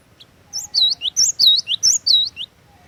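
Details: Glatik watu, the cinereous tit, in loud song as a lure and tutor bird: a two-second string of alternating high whistles and lower swooping notes, clear and rhythmic, over quiet background hum.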